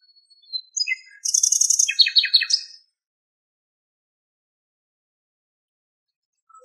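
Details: Common nightingale (Luscinia megarhynchos) singing in Greek countryside, recorded from far away: one rich song phrase of a few high whistled notes, then a fast rattling trill dropping in pitch, then silence.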